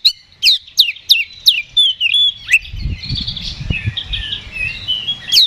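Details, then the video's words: Oriental magpie-robin giving fighting ngeplong song to provoke others: six loud downward-swept whistles about every third of a second, then a long soft warbling passage over low rumbling noise, ending with one sharp note. "KACER GACOR NGEPLONG TARUNG !! PANCINGAN KACER PALING AMPUH BUAT MENAIKAN EMOSI KACER AUTO RESPON"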